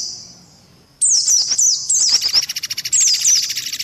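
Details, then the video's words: Indian white-eye lure mix with mantenan and pelatuk beras: near silence, then a sudden loud string of high wavering chirps followed by a rapid pulsing buzzy trill with a few more falling notes. "SUARA PIKAT BURUNG PLECI"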